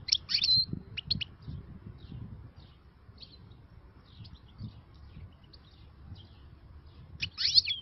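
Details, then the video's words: Newly caught wild European goldfinch singing outdoors: bright, tinkling twitters and a buzzy trill at the start and end, with scattered high chirps between, over a low background rumble. "غناء حسون بري"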